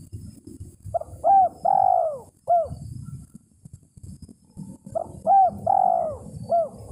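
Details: Spotted dove call aimed at a rival, used as a decoy lure: two phrases, each of short coos around one long falling coo, the second phrase about four seconds after the first, with low background noise.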